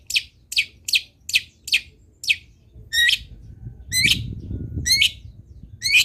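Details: A long-tailed shrike sings actively, with varied fill-in notes, on a training recording for other shrikes: six evenly spaced harsh chirps, then rougher, buzzier notes, with some low rumbling noise behind.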